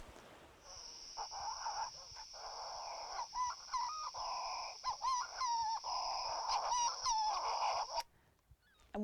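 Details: Manx shearwater calls played from a tape on the Isles of Scilly to survey burrow-nesting, nocturnal birds; birds in burrows answer it as a challenge. Hoarse, wavering crooning notes in quick bursts over a steady high-pitched whine.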